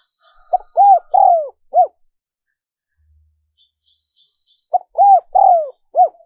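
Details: Spotted dove cooing, a recording used to lure wild doves: two phrases about four seconds apart, each of four low, hollow coos (a short note, two longer rounded ones, then a short final coo), with faint thin high whistles between phrases.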